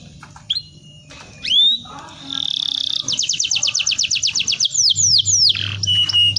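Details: Canary song meant to prompt juvenile canaries to start singing: scattered rising whistles and a held tone, then a fast rattling trill of repeated notes and sweeping down-slurs, over a low steady hum.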